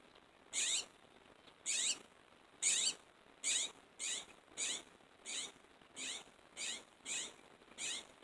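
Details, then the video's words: Northern mockingbird singing from a tree in the early morning after a full night of singing; the same harsh, broad note is repeated about eleven times at roughly two-thirds-second intervals. "Singing Mocking Bird"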